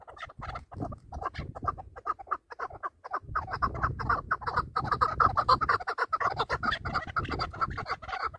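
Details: Chukar partridges kept for hunting, calling against each other: fast, uneven chuk-chuk clucks in a dense series, over a low rumbling background noise.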